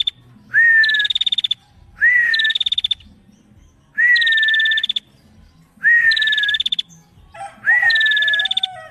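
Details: Chattering female bar-winged prinia repeats a phrase five times, about every 1.8 seconds: a rising whistled note, then a brief high buzzy rattle. A lower whistled note briefly overlaps near the end.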